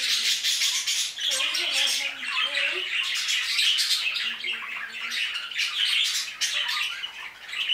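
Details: Many budgerigars in an aviary chattering nonstop, a loud grating mix of squawks and warbles, with faint human voices in the background.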